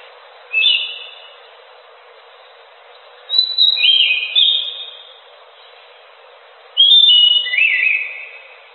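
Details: Singing orange-headed thrush, the anis macan: three rich whistled phrases, each a run of slurred notes sliding downward and ending on a lower trill-like whistle, with silent gaps of about two seconds between phrases.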